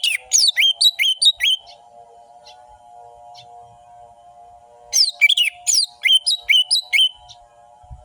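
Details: Fast orange-headed thrush song intended as a lure for lazy birds: repeated sharp, downward-slurred whistles in two rapid series separated by a quiet gap with faint chips, all over a steady background hum.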